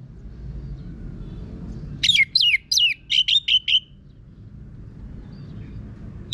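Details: Rough-voiced song of an Orange-headed thrush (Geokichla citrina), played to coax other birds into singing: a quick run of about seven harsh, downward-hooked notes, then low background rumble and a final note at the end.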